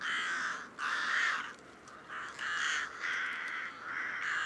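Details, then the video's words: Rook (Corvus frugilegus) gives about five hoarse, grating caws in quick succession, each roughly half a second long, with broad harsh tone and brief gaps between. "Грач Corvus frugilegus"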